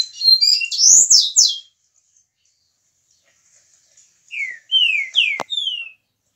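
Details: A 22-year-old Mineiro-type Green-winged Saltator sings two loud bursts of rich, slurred whistles, each phrase falling in pitch and lasting about one and a half seconds, separated by a pause.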